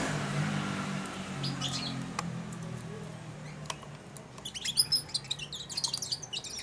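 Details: European goldfinch fledgling of four months, kept in a cage and used to taking food from a hand, starts to babble. A low hum comes first, then a quick, scratchy chatter of high twittering notes.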